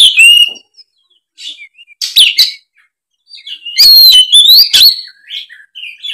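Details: Oriental magpie-robin, a lure singer for a molting spotted young bird; scattered short whistles and chips separated by silences, then a dense phrase of sweeping, ringing whistles near the end.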